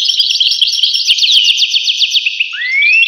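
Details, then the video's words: Goldfinch twittering song with a quick run of sharply repeated descending chirps, closing on a clear rising whistle. "voice carduelis- Tweets the birds. Tones a bird Goldfinch. voice goldfinch-"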